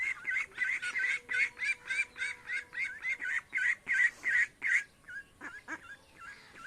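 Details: Village ducks and ducklings in India heading to the pond: a loud run of nasal, harsh quacks at roughly three per second, followed by a few softer, shorter calls.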